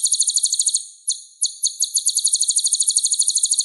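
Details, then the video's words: Sunbird song meant to spur caged songbirds into full song: rapid, high, tinkling notes in quick runs, broken by two short pauses before the fast chatter resumes. "MASTERAN SPESIAL KOLIBRI GACOR"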